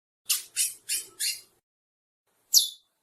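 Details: A pair of Chestnut-bellied seed finches: four scratchy, buzzy notes in quick succession, a second of silence, then one sharper, higher rasping note.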